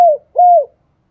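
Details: Calling decoy spotted dove: two low, mellow coos, the first fading downward, the second level and then dropping at its end, separated by a short gap, with silence afterwards.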